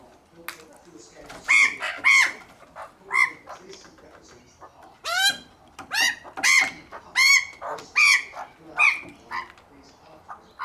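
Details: Hungry Australian magpie family eating unsalted peanuts at a home in Melbourne, Australia; harsh, rasping squawks repeated roughly every half to one second, loud and insistent, with some background noise between calls.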